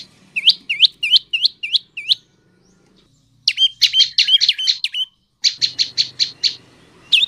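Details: Prenjak lumut tailorbird song, played to lure male and female birds into singing; a string of hooked, upward-swept chirps, a short pause, then rapid dense chirp bursts and a final single note, light low hum behind.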